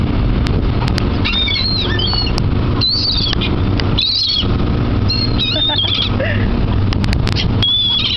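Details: Many seagulls gathered at a dock by the water, their thin, high squealing calls arriving in short bursts from several birds over a steady low engine-like rumble.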